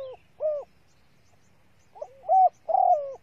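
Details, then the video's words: ['Spotted dove hen used as a lure to rouse males: two soft, low coos, a silence of over a second, then a quick note followed by two fuller coos, the last long and slightly rough.'] "TIẾNG CU GÁY MÁI SIÊU NHẠY DÙNG KÍCH BỔI KHÓ TÍNH"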